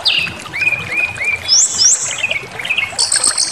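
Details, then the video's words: A brown-chested jungle flycatcher sings a provoking lure: a long high whistle, lower wavering notes, two quick rising sweeps, then a buzzy high burst at the end. "Pancingan Emosi SRDC Awas Ikut Ngamuk Bongkar Materi"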